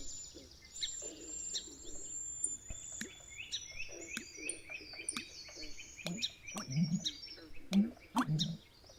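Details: American Bittern in a North American marsh gives deep, gulping 'water-pumping' notes in the last few seconds, like water glugging into a pool, over busy high chirps of other birds.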